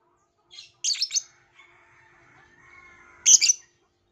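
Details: Violet lovebird giving two bursts of shrill squeaky chirps, separated by a thin faint whistling tone.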